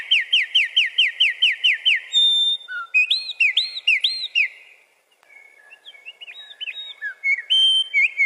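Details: A male wren sings loudly to defend its territory: a quick run of about ten bright, rising notes, then a short pause before a jumble of high whistles and trills.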